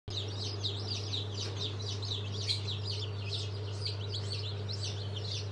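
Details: Many newly hatched chicks of Sultan, Fizan and İspenç breeds, hatched on 22 February 2023, peep together in a dense chorus of high, short notes over a constant low machine hum.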